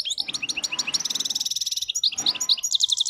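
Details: Wild European goldfinch with a faultless song, delivering a continuous fast twittering stream of bright high notes, liquid trills and short buzzy rolls without a pause.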